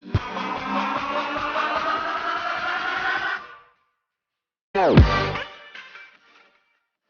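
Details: Loud electronic music plays for about three seconds, then silence, then a deep downward-sweeping synthetic tone that fades out.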